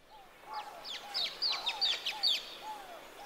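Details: Social flycatcher on a cool morning along the Huatulco River near Santa María Huatulco, Oaxaca, Mexico, giving a rapid burst of sharp, squeaky high shrieks in quick succession, over softer, lower slurred whistles from another bird.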